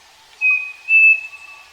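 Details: Striped cuckoo on a farm giving one plaintive whistled phrase: a short clean note, a pause, then a longer, brighter note a touch higher in pitch, with a soft lower tone beneath.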